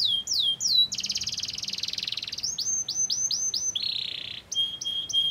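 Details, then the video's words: A canary sings as a lure for other canaries. Swooping downslurred whistles lead into a long dense buzzing trill, then a series of curved chirps, a lower buzzy roll and thin clear whistled notes. "Kenari mana YANG GAK IKUT GACOR dan NEMBAK dengan pancingan kenari ini"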